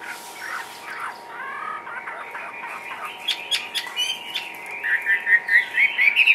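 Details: Caged Chinese hwamei hopping and dancing; it opens with soft, jumbled chattering notes, then builds into a louder string of quick rising whistles toward the end. There is a faint constant background hum.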